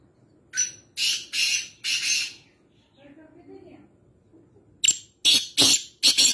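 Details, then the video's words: Black francolin (black partridge) at home in Nawabshah, Sindh, Pakistan, giving harsh, grating, rasping notes in two quick bursts of four and five, with a faint low murmur between them. "Black Francolin Voice Kala Teetar Sound"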